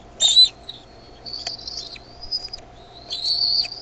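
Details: Decorah bald eaglets call out as their mother arrives with food, 13 May 2015 at 6:35 pm; a sharp high squeal, then long thin whistled notes holding level, with a faint constant hum underneath.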